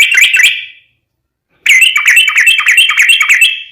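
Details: Yellow-vented bulbul lure song for making other bulbuls respond: a short buzzy chattering phrase, a second of silence, then a longer rich, rapid, slightly harsh run of warbled notes.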